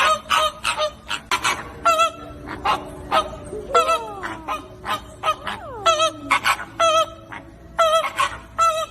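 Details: Group of flamingos honking: loud nasal goose-like calls in irregular bursts, some wavering, with a few descending slurred notes midway, several birds calling over one another.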